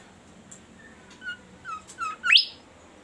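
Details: Bimoli bird in full melodious song: soft whistled notes rising in a quick series and ending in a bright, sharply rising sweep. A low background hum runs throughout.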